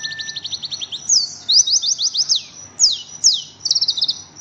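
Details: Oriental white-eye, known locally as pleci, singing a fast, dense chatter of high, thin notes: quick repeated trills and downward-sweeping whistles run almost without pause, with a steady faint low hum beneath.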